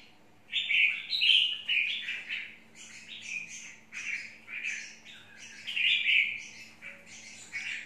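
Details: Red-whiskered bulbul, chào mào mộc, singing loud, varied warbled phrases almost without pause. Bright high notes mix with richer middle tones, over a constant low hum.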